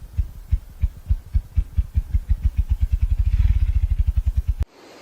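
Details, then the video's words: A ruffed grouse drums on a hillside in a roadless area of the Great Smoky Mountains: deep, muffled heartbeat-like thumps start slowly, then quicken into a fast whirring roll over about four seconds before cutting off. "don't know if y'all can hear that on camera or not, but we can hear it plain as day as there's a ruffed grouse up there beating on the hill."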